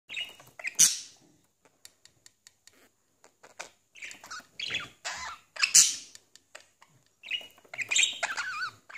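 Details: Kiwi, a blue pet budgerigar, chatters in rapid, scratchy bursts mixed with clicks and brief warbled notes while feeding his reflection in a mirror.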